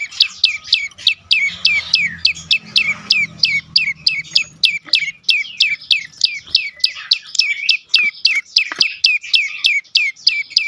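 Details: Prenjak lumut prinia delivering full 'dorr' song for luring mute birds to call; fast repeated sharp downward-sweeping chirps, about three a second, with a faint low murmur early on.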